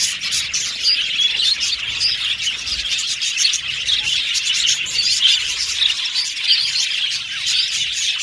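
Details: Aviary budgerigars chattering as a flock, rapid thin chirps and warbled phrases running together without a break, swelling slightly at moments.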